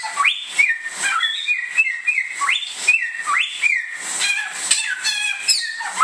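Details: Bare-throated whistler, a native Indonesian bird, singing bright whistles that sweep up and settle on steady tones, phrases coming about every second, with rapid high twittering and persistent hiss behind.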